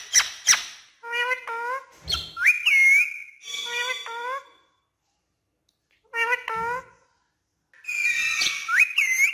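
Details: Pet parrot talking in Urdu: repeated nasal, wavering word-like phrases mixed with piercing upward-swooping whistles, a pause of about a second, then more mimicked syllables and a final looping whistle.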